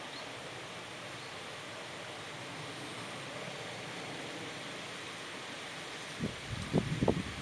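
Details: Steady rushing water noise, ending with a few low thumps, with no animal calls.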